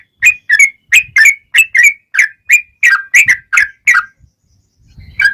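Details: Sooty-headed bulbul singing lively phrases meant to prompt replies from other bulbuls: a regular series of clear whistled notes, mostly paired, about three per second, then a pause with faint low rumble before one last note.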